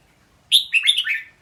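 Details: Short lively song phrase by a red-whiskered bulbul, a strong high opening note leading into a tumbling series of warbled notes that drift lower.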